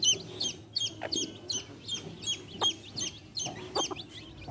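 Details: Chicks beside their mother hen give bright, repeated peeps that fall in pitch, roughly three per second, mixed with short low clucks from the hen.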